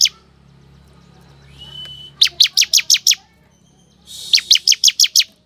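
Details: Ciblek song played as a lure for wild forest ciblek: a brief high whistle, then two bursts of rapid, sharp high chirps, about six per burst, separated by a short pause.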